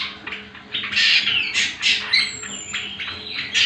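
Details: Greater green leafbird (cucak kombo) song used as lure and master recording for training other birds: loud, varied chattering bursts and slurred whistles, with a long high thin whistle midway, over a low steady hum.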